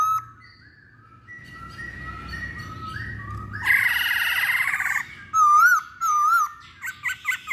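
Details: Masked laughingthrush in a lure recording: soft whistles, then a loud buzzy chatter, then clear wavering whistled notes and short sharp calls in quick succession.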